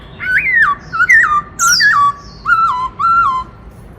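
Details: White-browed laughingthrush in full, fiery voice, singing its 'Bắt Cô Trói Cột' style song: loud, clear whistled phrases that rise then drop in steps, five notes in four seconds with brief pauses.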